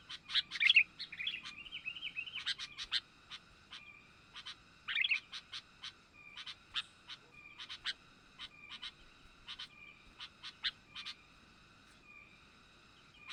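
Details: Lure call of a young sooty-headed bulbul for attracting wild birds: loud scratchy chatter bursts at the start and middle, then widely spaced short bright chirps repeated irregularly, with a faint steady high tone throughout.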